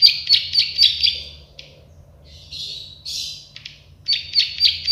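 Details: Plain prinia, known as the klik-klik bird, gives rattling buzzy notes, then a pause, a couple of harsher buzzy bursts, and another quick series of ticking notes.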